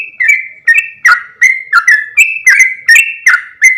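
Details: Lure sound of a yellow-vented bulbul for attracting other bulbuls. Chirping, liquid notes come about two and a half times a second, alternating slightly higher and lower whistled endings, with a clean background.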